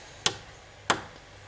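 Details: Syrian woodpecker in Budapest in April attacking its reflection in a window: two sharp, dry knocks about two-thirds of a second apart, against a faint low hum.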